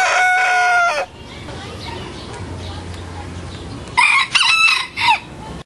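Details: Big rooster teaching a little rooster how to crow: a full, strident crow of about one second at the start, then after a long quiet pause a second broken, wavering crow near the end.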